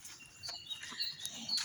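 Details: Birds sing on a farm garden the day after heavy rain in Istanbul, small thin, high chirps with a couple of brief bright whistles near the end over a faint outdoor hush.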